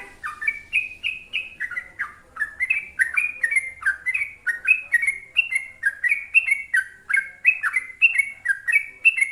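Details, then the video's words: Trucuk bulbul singing long, energetic phrases used to spur other bulbuls into song: bubbly, slurred whistled notes rising and falling, repeated in steady rhythm about three times a second, with faint high ticks. "Kicau suara TRUCUK GACOR ropel panjang"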